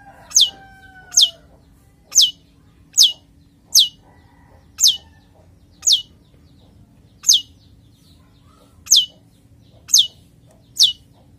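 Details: Breeding-condition male long-tailed shrike kept in captivity repeats a sharp, high, downslurred squeak about once a second, twelve in all, after a brief pair of faint whistles at the start.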